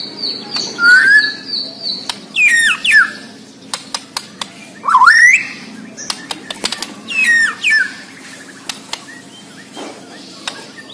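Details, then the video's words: White-rumped shama of Borneo singing lively. Separate loud phrases of slurred whistles swoop down and up every two seconds or so, with dry clicks between them and a thin high tone early on. "MURAI BORNEO GACOR DARRR DERRR DOORRR"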